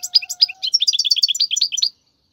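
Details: European goldfinch singing, a song for teaching young birds: a lively run of liquid, high twittering notes in quick succession, with a faint steady tone at the start and silence at the end.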